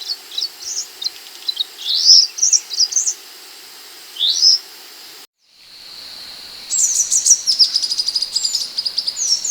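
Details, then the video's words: Masteran training audio of the Scarlet minivet (sepah hutan): scattered high rising chirps and twittering notes, a brief silent break, then a fast chattering run of sharp high ticks and whistles over steady hiss. "MASTERAN BURUNG MANTENAN ( SEPAH HUTAN ) GACOR 2025"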